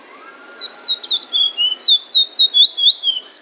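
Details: Song of a bullfinch from Trinidad in drawl and wheet drawl style: rapid series of clear, piercing whistles that each glide down in pitch, roughly four per second, with a soft steady hum in the background.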